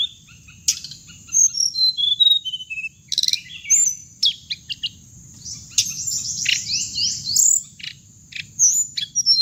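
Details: Hồng hạnh bird recording meant to draw birds into traps via a speaker. High thin whistles and chips come in spurts, with a dense twittering passage in the middle and a continuous high tone beneath.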